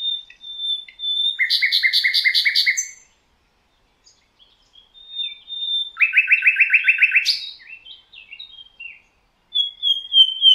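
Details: Thrush nightingale song from the Rawka river valley in Poland: a thin drawn whistle, then a loud fast rattling series of clicks, a pause, more soft notes and a second rapid chattering roll ending in whistles.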